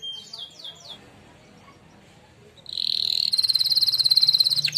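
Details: Singing-contest winner canary performing a training song: faint high chirps, then after a quiet pause a loud, fast, buzzy rolling trill with bright upper tones and rapid even pulses.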